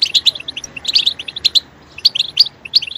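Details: European goldfinch chirping, offered as a stimulus to make goldfinches sing; quick groups of two or three bright, tinkling notes, with a short silent gap in the middle.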